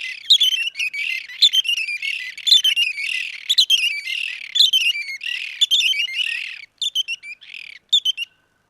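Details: Red-and-white barbet, dhiirran, in Somalia: busy chattering call bouts of clipped, squawky notes repeating about once a second, thinning to a few separate short notes before ending in silence.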